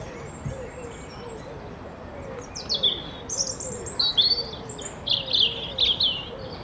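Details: European robin singing in its probable territory among red leaves, quick, thin, high warbled phrases with sparkling trills, starting partway through; other robins may sing in the background, over faint low repeated chirping and steady hiss.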